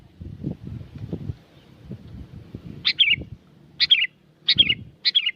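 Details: Lure song of a sooty-headed bulbul recorded at Curug Agung, Subang, West Java: after a low rumbling, four quick chirpy phrases, each a bright note sliding into a downward warble, under a second apart.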